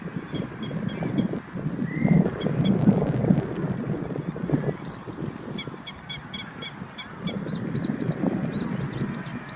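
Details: Grey-headed lapwing parent standing guard beside chicks, Kyoto, Japan, late April: repeated strident clipped notes in runs, a few upslurred squeaky notes near the end, set against gusty low wind-like rumbling.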